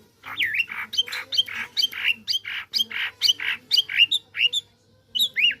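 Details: A tame white-rumped shama, said to be ready to fight when it meets another bird, sings a fast, rich series of loud whistled and chattering phrases, several per second, with sweeping up-and-down notes; a faint low hum runs underneath.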